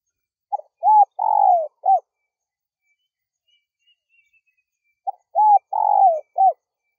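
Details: Spotted dove coo used to call in wild doves: two phrases of short notes, a long descending coo and a final clipped note, separated by a few seconds of silence.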